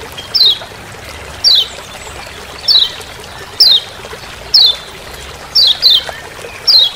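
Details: Forest recording from Lombok of a Lemon-bellied white-eye repeating its 'ciak ciak' call: eight crisp, high, falling chips at fairly even intervals of roughly one second, over a quiet hissy background.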